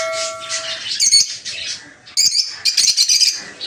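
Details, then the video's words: Captive peach-faced lovebirds housed in a breeding aviary, colour varieties including lutino and blue rosy; after a steady whine at the start, rapid shrill chirps and squeaks break out in two lively bursts. "Peach-Faced Lovebird's Sounds"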